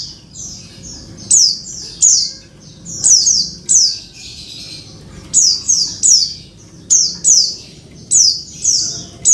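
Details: Oriental white-eye female calling the male, meant to restart a bird that has stopped singing; rapid runs of shrill, squeaky descending notes, often doubled or tripled, repeated steadily about every second through nine seconds.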